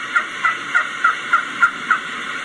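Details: A Wild Turkey hen gives a walking yelp, a soft rolling call made under the breath while moving between places: seven even yelps, about three per second, over a steady background hiss.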